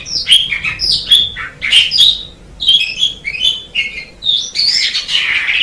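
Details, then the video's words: An Asian pied starling's training song flows nearly nonstop: squeaky whistles, chattering notes and harsh, scratchy phrases closing in a noisy, buzzy rasp. "MASTERAN JALAK SUREN MEMANG SANGAT BAGUS SUARA KICAUNYA"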